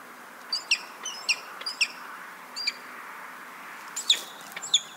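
Peregrine falcon giving sharp, high chipping notes, singly or in quick pairs about every half second, with a steady hiss behind them.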